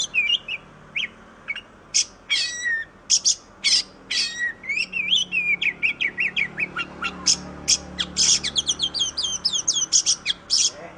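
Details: Training recording of Oriental magpie-robin song, a bird prized for imitating varied phrases: a long, loud, varied stream of sharp chips, slurred whistles and rapid warbled notes, growing denser toward the end, in a quiet background.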